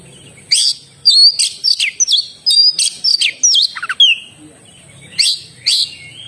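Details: Oriental magpie-robin (kacer) in energetic song: quick sequences of sweeping whistles and sharp rising and falling notes, some clustered rapidly, a brief pause, then two more loud bursts; a faint steady high tone in the background.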